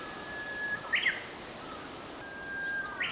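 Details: Japanese bush warbler singing on 22 April 2020 along the route from Zenshō-ji to Shōfuku-ji temples: two phrases, each a long, steady, low whistle ending in a quick rising, warbled flourish, about two seconds apart, over soft outdoor background hiss.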